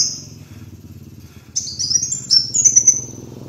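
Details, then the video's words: Kolibri wulung (sunbird) master song for training birds: after a quiet stretch, bursts of high, sharp rising notes break into a quick twittering trill over a faint low hum. "MASTERAN PIKAT BURUNG KOLIBRI WULUNG"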